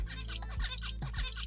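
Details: Zebra finch song played from a speaker in an experiment testing which song a caged female prefers, fast versus slow: nasal, buzzy notes in a quick motif, repeated about every half second, over a steady low hum.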